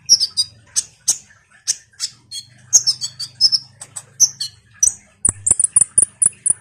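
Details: Common iora in busy, chatty song meant to provoke sunbirds: fast sharp chips and whistled notes, ending in a rapid series of about eight high, even notes.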